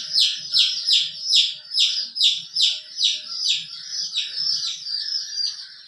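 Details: Colorful chick with its hen: a loud series of shrill, falling peeps, about two or three each second, fading slightly toward the end, over soft low clucking or scratching.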